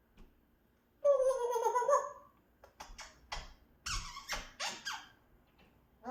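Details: Pet African grey parrot indoors in a small room, giving a drawn-out, nasal, harmonic call lasting about a second, followed by scattered clicks and rough squeaky sounds while a person repeatedly says hello.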